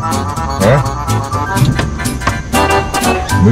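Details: Busy instrumental music with strings and a hint of speech fills the whole stretch, with no animal sound heard.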